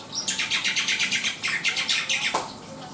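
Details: Black-winged myna chattering: a quick, even series of rasping, buzzy notes, about six per second, ending with a short downward squeak.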